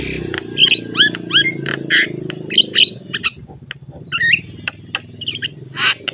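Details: Javan myna in lively song, used as a training model for other mynas: sharp rising whistled notes and harsh chirps in quick bursts over a steady low hum.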